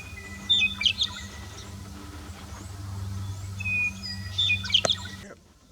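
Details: Downy woodpecker (Dryobates pubescens) calling on Antelope Island, Utah: two brief bursts of sharp, high pik notes a few seconds apart, over a steady low hum.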